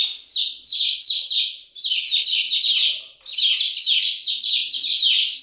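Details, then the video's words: Chicks chirping in a busy chorus, bright high peeps slurring downward in quick succession, with two short pauses splitting the calling into three surges. "Continuous Chirping sound of Chicks"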